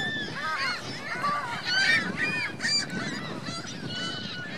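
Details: Honking geese with goslings at Virginia Lake, Reno: a run of clear, rising-and-falling nasal honks, several birds calling in quick overlapping succession.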